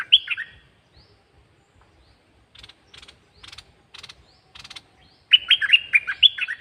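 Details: Caged bird singing: a quick warbled burst of bright, bubbly notes opens, then a quiet stretch of short dry clicking and rattling, then a second lively run of five or six looping whistled phrases.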